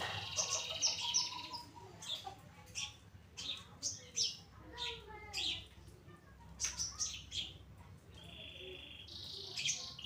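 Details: Long-tailed shrike, Pastol type, kept in a cage and singing actively as a training model for other birds: mixed harsh chatter, short whistles and clicks, with a steady high whistled tone near the end.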